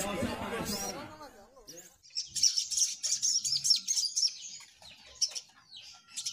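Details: A human voice opens, then several little spiderhunters singing busily take over with a fast, uneven string of high, thin, chittering notes.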